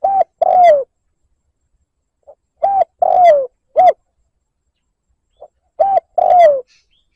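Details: Spotted dove cooing meant to lure and provoke a rival: the tail of one phrase, then two full phrases, each a quiet pip, a short coo, a long slurred falling coo and a short rounded coo.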